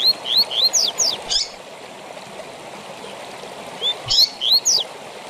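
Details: 'Tui tui zel zel' song style of a Double-collared seedeater, used for training caged birds: clipped high rising whistles tumbling into steep descending strokes, a phrase at the start and another after a three-second gap, over running-water hiss.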